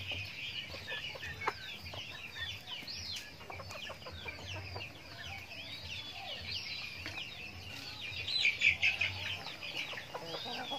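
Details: Backyard chickens eating feed, a busy chorus of high downslurred peeps repeated rapidly by many birds, with a louder burst of chirping toward the end.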